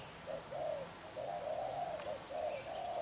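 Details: Intense 'đập gù' cooing from a young wild-caught black-eyed spotted dove: soft low coos, a brief pair then a longer rolling sequence of linked hollow notes, faint chirping behind.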